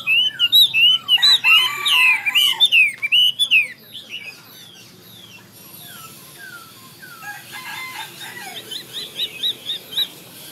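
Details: Chinese hwamei delivering a vigorous torrent of varied whistled slurs and trills for about four seconds, then softer descending notes and quiet chattering.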